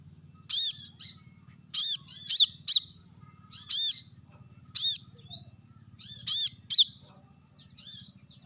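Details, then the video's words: Brown-throated sunbird uttering sharp calls toward rivals, scattered loud high notes with a slightly bent, ringing quality, singly or in pairs every second or so, over a faint low hum. "kolibri kelapa | manggar | wiceh | suara tajam memanggil lawan"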